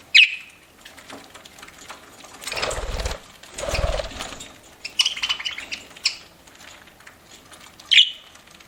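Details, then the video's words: Eating pet budgerigar gives a sharp high chirp at the start and another near the end; between them come broad rustling or crunching bursts and a run of faint softer chirps. "PARAKEET EATING SOUNDS"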